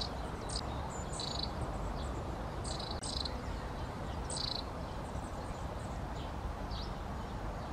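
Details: Long-tailed tit producing scattered short buzzy bursts and thin high notes, grouped irregularly across several seconds, against a steady low noise background.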